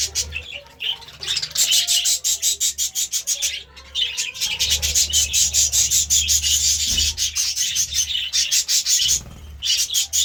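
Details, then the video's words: Morning chirping from budgies, a dense run of rapid ticking pulses layered with high warbled notes, nearly continuous, with a low background hum. "Budgie Sounds part 33 | A beautiful chirping sound in the morning"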